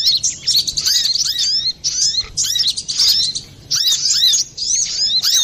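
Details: Brown-throated sunbird song, lively and clear, used as a lure or training recording; high twittering phrases of swooping whistled notes, each burst about a second long, separated by short pauses.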